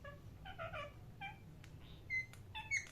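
A parrot gives short, rich chirps and squeaky notes in uneven bursts, some rising sharply, over a faint low hum.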